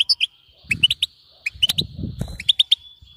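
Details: European goldfinch giving bitbeta chirps meant to make a goldfinch keep singing; scattered sharp twitters and a thin lingering whistle, with low rumbling background noise between notes.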